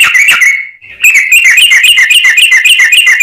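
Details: Sooty-headed bulbul singing as a lure, with a brisk, dense string of sharp, bright chirps repeated several times a second after a short pause and a faint sliding whistle.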